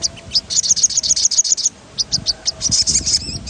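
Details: Rolling sogon song for stimulating birds: rapid high trilled notes, a brief pause, then spaced sharp chirps resuming into a fast rolling run.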